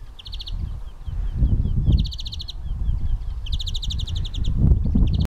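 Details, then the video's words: European greenfinch (Carduelis chloris) singing fast, bright, high trills in three bursts about every one and a half seconds, with soft twittering between; a steady low rumble of wind or distant traffic underneath. "Зеленушка Carduelis chloris | Greenfinch singing"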